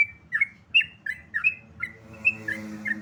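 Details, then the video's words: Sooty-headed bulbul (trucukan) giving a lively series of clear whistled notes, each swooping down or up, about three per second, over a faint low background hum. "trucukan ropel"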